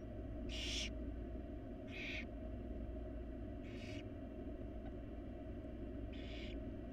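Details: Wild barn owl chicks in a monitored nest box beg while their mother feeds them: four harsh, hissing bursts, each under half a second, over seven seconds, above a constant low hum.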